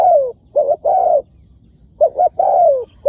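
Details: Spotted dove, wild, answering a decoy bird: loud cooing phrases of a quick double note followed by a long falling coo, given twice in close succession.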